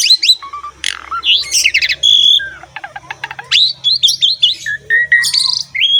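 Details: Vigorous song of an Asian pied starling, used to encourage young or silent birds to sing: sharp whistles, a sustained pure tone, rattling clicks and scratchy phrases, with a faint low hum beneath.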